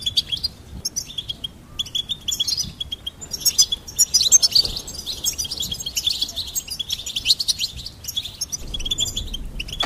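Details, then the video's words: Goldfinch in song: lively, fast chattering twitters and sharp chirps in an almost unbroken stream over a steady high buzzy tone, with a few short gaps between outbursts. "Goldfinch Singing and Song Compilation"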